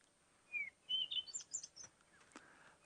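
Cape robin-chat giving a short, sweet phrase of clear whistles: a falling note, then several quick higher notes, followed by a faint click over soft background hiss.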